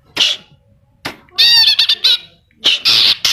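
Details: Greater green leafbird in full, lively song laced with imitations of kapas tembak and cililin calls; loud, harsh, broadband chirps in short bursts, with a rapid stuttering run in the middle and brief pauses between phrases.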